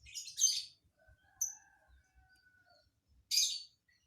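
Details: Lovebird with a strange song fill: rough, shrill bursts open and close the passage, with a short sharp chirp and a faint, thin, steady whistle-like tone between them.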